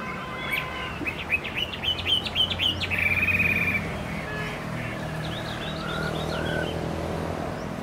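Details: Chinese hwamei, a caged bird kept for song and fighting display, opens with a fast burst of sharp repeated whistled notes, then a long sustained trill, followed by softer scattered whistles over a low hum.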